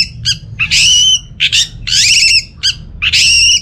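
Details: Orange-headed thrush from Singaraja, northern Bali, singing to draw silent birds into song: loud scratchy, buzzy phrases alternating with short clipped notes, about seven bursts in under four seconds.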